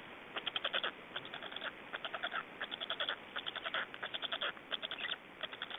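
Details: Black storks in Estonia during feeding and changeover at the nest, 25 May 2012 around 17:03; bursts of fast, raspy pulsed calls in irregular runs, harsh and rattling.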